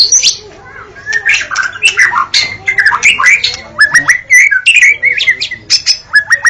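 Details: White-rumped shama delivering a fast mix of scratchy chatter and whistled upslurred and downslurred notes, growing into clear repeated rising whistles toward the end; faint low hum throughout.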